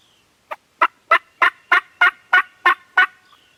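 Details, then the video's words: Turkeys on a farm gobbling, captured with a Canon G7X: a steady string of nine rough, rattling bursts roughly every third of a second, each loud and broadband, over a quiet background. "Turkeys Are Gobbling"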